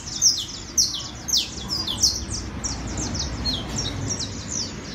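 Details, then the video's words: A criollo canary sings a high, bright run of chirps and trills, notes tumbling about twice a second, over a steady low rumble and hiss. "CANARIO CRIOLLO"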